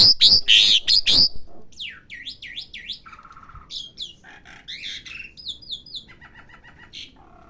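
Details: Jalak suren, the Asian pied starling, kept at home and learning its song: a few loud harsh chirps, then a softer medley of swooping whistles, low nasal notes and quick clicking trills.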